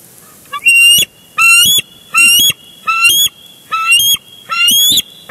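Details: Bald eagles at a nest cam on Big Bear Lake, 23 June 2022. One eagle brings in a big fish and another crashes in and tackles it for the fish. Six loud, high, piping chattering bursts with rising and falling harmonics, about one per second.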